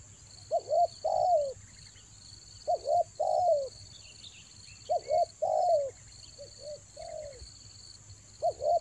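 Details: Spotted dove luring call recorded in Toba in the rainy season: clusters of soft coos, two short notes before a longer falling coo, repeated in separated phrases about every two seconds. A continuous high hum runs underneath, with faint chirps.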